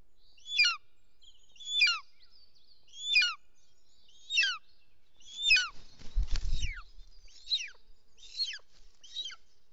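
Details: At a Bonelli's eagle nest in Els Ports, Catalonia, 16 June 2023, with the male bringing a snake: a series of eight or nine high, falling yelps roughly every second, interrupted midway by a brief rustling thump.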